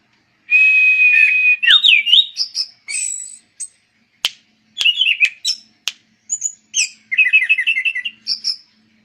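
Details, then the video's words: Varied song of an anis cendana thrush: a long buzzy whistled note, then rising and falling slurred whistles, sharp clicks and high chips, ending in a quick rolling series of short twittering notes. "Burung Berkicau Anis Cendana"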